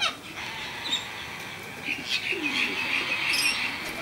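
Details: A wild, just-fledged Sulphur-crested Cockatoo at Cromer, Sydney, possibly female, begs for food and calls to its parents with a harsh, grating, continuous rasp that swells and pulses several times a second, with faint background chatter.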